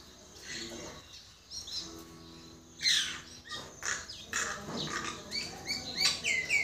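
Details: Common myna giving varied whistled and chirping phrases, rising and falling sweeps with harsher notes, growing busier toward the end over a faint steady hum.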